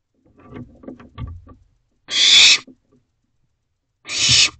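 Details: Barn owl chicks bound to their owl box feeding on rodents in the early hours, 1:45 am, June 2023; soft scuffling and rustling at first, then two loud, rough, breathy screeches about two seconds apart.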